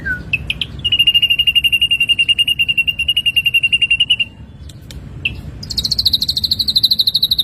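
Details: Ashy drongo training recording for songbirds: a long, even, rapid trill on one high pitch lasting several seconds, short chip notes, then a higher fast trill starting after a pause.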